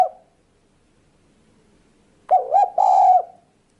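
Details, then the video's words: Spotted dove call, played as a lure for trapping and hunting birds. After a near-silent pause comes a low cooing phrase: two short, slightly rising coos, then a longer, drawn-out mellow note. A brief faint sound opens the recording. "Mp3 burung tekukur ampuh"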